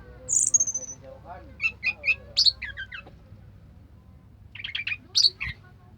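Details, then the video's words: Orange-headed thrush singing continuously: a sharp high whistle sliding downward, then clusters of short chirps and trilled notes, a pause, and another burst of quick twittering phrases with a bright rising note. "suara kicauan burung anis merah sampai teler"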